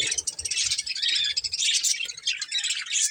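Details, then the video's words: Continuous busy chatter of budgerigars from a breeding pair, a steady stream of high scratchy warbling and twittering notes with no clear pauses. "Cute Colourful Budgies Chirping Sounds | Love Birds Breeding Pair | Budgies Singing"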